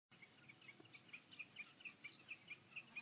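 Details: Common snipe: a steady run of short, sharp ticking notes, roughly two per second, growing slightly louder through the clip over a faint background hiss.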